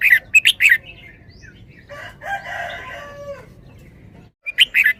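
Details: Red-whiskered bulbul performing the 'double-double' song style: two short bursts of rich warbled notes framing a long drawn-out harmonic call in the background.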